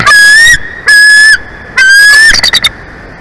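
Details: Nesting bald eagle in Big Bear Valley, California, 23 February 2024 at 11:04; three long, shrill, even whistles about half a second each, the last dissolving into a quick stutter of short chips.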